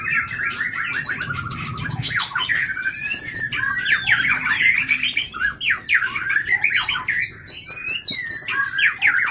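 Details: Captive White-rumped shama of the Leuser line from Pining, Gayo Lues, Aceh, a fighter-type bird with sharp notes and long breath that readily copies surrounding sounds; fast, varied whistled phrases with sharp clicks and chatter, near-continuous.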